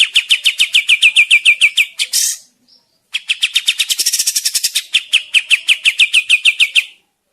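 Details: Lively kapas tembak bird, played as a forest trapping lure or as a master tutor; even run of bright chirps, a harsh high burst and pause, then a faster rattling series turning back into steady repeated chirps.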